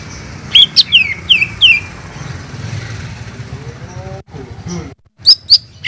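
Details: Sooty-headed bulbul, recorded as a master tutor track for cage birds: four sharp, descending whistled notes in quick succession over a steady background hiss, followed later by a few short high chirps.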